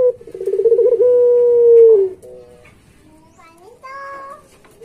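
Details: Pet Barbary dove, known as puter pelung, in a gacor training recording. A quick rolling coo swells into a sustained low hoot that drops away at the end, then quieter short notes follow.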